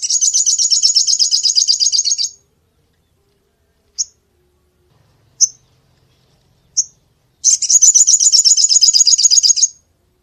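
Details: Active crested jay delivering long, buzzy, rapid high rattles lasting about two seconds each, separated by three brief isolated sharp notes spaced over several seconds; no other sounds.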